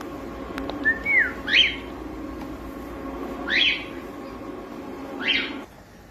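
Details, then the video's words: Young pet cockatiel singing: a short sliding whistle followed by brief chirped notes spaced about two seconds apart, over a steady low room hum. "SOM DE CALOPSITA CANTANDO"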